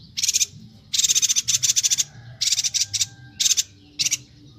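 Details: Bornean yuhina in full song, a tutor recording for teaching songbirds: dense, high, fizzy rattles of fast pulsed notes in bursts up to a second long, separated by brief pauses, over a quiet low hum.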